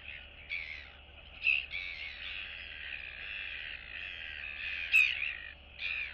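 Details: Neighbouring royal albatross chicks interacting and greeting in their colony, 9 September 2022; a long, drawn-out, grating call lasting several seconds, broken by short pauses and sharper accented bursts, over a low background hum.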